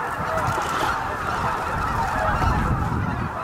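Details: Greater white-fronted geese arriving at their evening roost at Miyajima-numa marsh, Bibai, Hokkaido, Japan, on 11 April 2016 around 18:00, roughly 15,000 birds: a dense, continuous clamour of overlapping honking and yelping calls with a low rumbling background.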